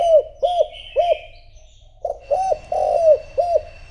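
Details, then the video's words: Low, hollow cooing of a decoy spotted dove luring wild doves: three quick coos, a half-second gap, then four more, one longer and falling, with faint high chirps. "Cu gáy mồi thúc gù gọi bổi , kích cu gáy gù gáy"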